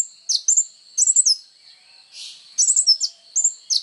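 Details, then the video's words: Sunbird called kolibri ninja, singing as training material for songbirds: short groups of piercing high chirps and slurred whistles, separated by brief gaps and one soft hissing rustle. "SUARA BURUNG KOLIBRI NINJA GACOR"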